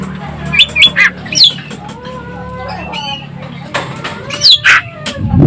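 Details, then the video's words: Sumatran Asian glossy starling singing vigorously with a sharp voice: loud, shrill upswept whistles in clustered bursts, mixed with lower sliding whistled notes and a steady low hum behind. "EKEK KELING Sumatera Gacor Suara Pedas"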